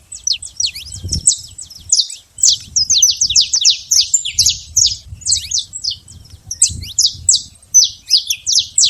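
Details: Wild saffron finch song: dense streams of high, clipped chirps and twitters, broken by short gaps, with soft low thumps in the background.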